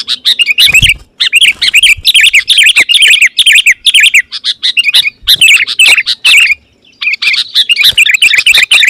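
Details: Lively sooty-headed bulbul song, meant to draw wild rivals of the same species: dense, continuous bubbling chirps in rapid bursts, broken by brief gaps near one, five and seven seconds.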